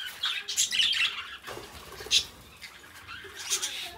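Budgerigars chatter in a bright, scratchy warble of quick high chirps and squawks in uneven bursts, with several birds overlapping in a small room.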